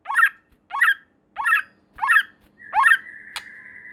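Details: White-rumped shama sound used to provoke other shamas: five harsh downslurred notes repeated roughly every 0.65 seconds, followed by a steady buzzy tone with faint background hum.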